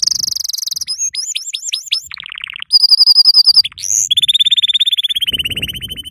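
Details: Yellow canary song as a lesson for young canaries: a high rolling trill, hooked whistles, a low buzzy run, a bright flat trill, then a long steady rattle with low background rumble.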